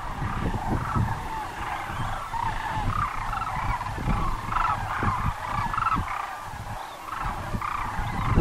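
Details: Chorus of sandhill cranes at Muleshoe Wildlife Refuge, Texas, with rattling purred calls piling over one another, some individual notes standing out mid-way, over a constant low wind rumble.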